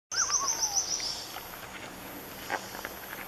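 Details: Purple-throated fruitcrow in Panama, 2015: a single clear whistled call that starts high and slides down in a wavering glide for about a second; a rapid series of thin, very high notes from another bird sounds at the same time, followed by faint background noise.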